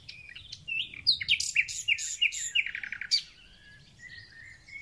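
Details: Thrush nightingale in full song at the start of spring: a series of rising whistled notes repeated several times a second, then a fast dry rattling trill, and finally thin drawn-out whistles.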